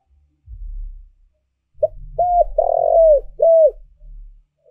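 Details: Spotted dove used as a lure to draw in wild doves gives one cooing phrase: a short note, an arched coo, a long rough burring coo, then a clear arched closing coo, over dull low knocking sounds.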